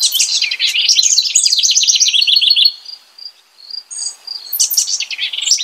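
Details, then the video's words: House wren singing a rich, bubbly song: a rapid tumbling run of high notes descending over about two and a half seconds, a brief pause with thin high tones, then another burst of quick chattering phrases. "Singing House Wren.(Troglodytes aedon)."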